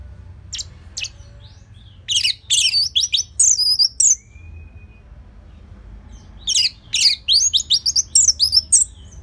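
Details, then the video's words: Orange-headed thrush singing as a lure for other songbirds. Fast bursts of very high twittering and slurred notes are split by one long, thin whistle, with a soft hum underneath. "Dipancing Dengan Kicauan ANIS MERAH Gacor Selow"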